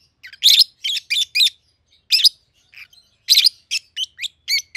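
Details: Shrill chirping from two young peach-faced lovebirds kept together since hatching, red-headed green opaline and red-faced dark green, 7-8 months old; quick strings of three or four high squeaky notes, then shorter pips.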